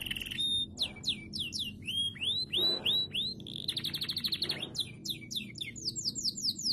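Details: Canary song used to stimulate other canaries to sing: rapid varied phrases of high whistled notes, descending slurs and fast trills, with buzzy rattling passages and a steady low background hum.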